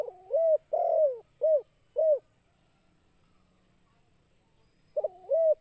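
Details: Spotted dove (Spilopelia chinensis) calling with soft, low, hollow coos: a quick run of four notes, a pause of nearly three seconds, then a fresh double coo.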